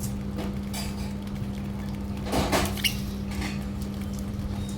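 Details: Indoor clatter of objects being moved, a few sharp clinks and a rustling burst midway, over a steady low electrical hum; no animal voice.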